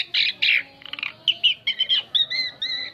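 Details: Asian pied starling song used as a lure for other birds: harsh squawky bursts giving way to clearer paired whistled notes, short phrases separated by brief gaps.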